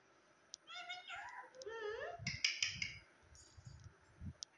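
A parrot talks in a nasal, wavering voice: a quick run of speech-like phrases that slide up and down for about two seconds, followed by soft clicks and thumps.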